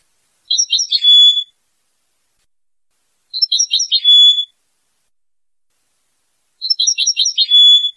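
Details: Tunisian goldfinch song: the same short phrase of quick liquid twitters ending in a thin steady whistle, repeated three times about every three seconds, with silence between.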